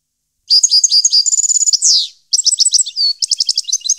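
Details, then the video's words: European goldfinch from 2015 in full song: rapid chirpy twitters and a quick trill end in a rasping downsweep, then after a short gap a new phrase of tinkling notes and a brief pure whistle follows. "Goldfinch song 2015/ Canto Jilguero Parva 2015"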